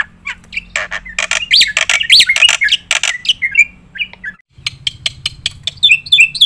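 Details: Black-winged myna singing 'gacor nembak' fill-in material for training competition birds: harsh, squawky bursts mixed with slurred whistles, a brief silence, then scattered clear notes.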